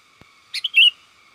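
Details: Sooty-headed bulbul giving a companion-summoning call, used to lure wild bulbuls: a soft click, then two quick chirps and a bright, slurred whistled note lasting about a quarter second, against a faint steady hum.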